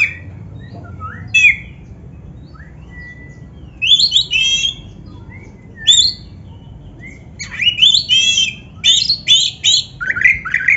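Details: Oriental magpie-robin, black-breasted form, singing a training track for caged kacer birds: sparse sweet whistles and slurred notes, then dense clusters of harsh, scratchy trills toward the end.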